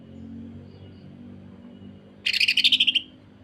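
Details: Greater green leafbird in full voice, singing the rough, dense 'sewing machine' style used to tutor and provoke other leafbirds: one rapid rattling burst of about a dozen buzzy notes, lasting under a second, after near silence.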